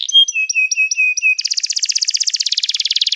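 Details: Canary song: a row of clear whistled notes with short downward slurs, then a fast, dense trill of rapid repeated syllables high in pitch.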